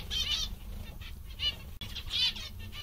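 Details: Zebra finches, said to be happy and content, give a few distinct nasal, trumpet-like beeps in small clusters, separated by brief quiet gaps, over a low steady hum.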